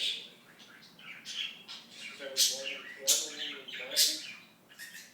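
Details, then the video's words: Pet budgerigar talking in fast, warbling chatter, with bright high bursts about once a second between softer murmured syllables. "The Talking Budgie"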